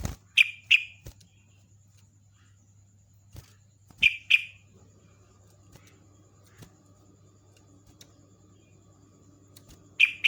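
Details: Yellow-vented bulbul lure calls meant to draw in other bulbuls: loud, clipped chirps in pairs and short bursts, separated by long pauses of near silence with a faint low hum throughout.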